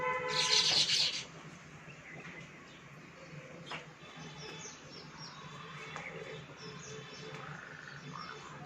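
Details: Baya weavers, monsoon visitors at a balcony: a short loud burst of buzzy, high chattering, then scattered faint chirps over a steady low background hum.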